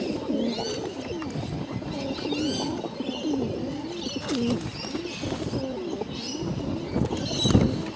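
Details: Bottle-fed pigeons calling hungrily, low wavering warbles mixed with busy rustling and clatter, while higher thin chirps from other birds sound in the background.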